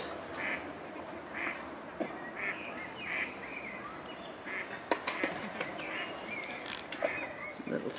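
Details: A Mallard hen on the River Kelvin gives short, nasal quacks about once a second, calling her new ducklings, who struggle to swim against a strong current; people talk softly over the flowing water.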